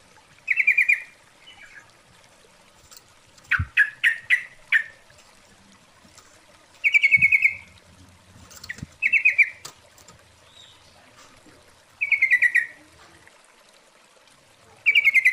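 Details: Female sooty-headed bulbul calling the male as a lure: short chattering bursts every two to three seconds, mixed with a few sharp clicks and a cluster of louder descending notes near the start.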